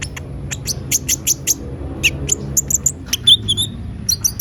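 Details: Van Hasselt's sunbird in lively song, made as a lure recording: rapid, very high, thin tick-like chirps in bursts, mixed with a few lower sweeping whistles, above a faint low rumble.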